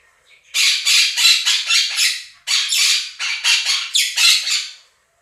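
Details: Two pet Quaker parrots, indoors, outshouting a budgie flock recording. Two long runs of rapid, grating squawks, each about two seconds of near-continuous harsh calls, separated by a brief pause.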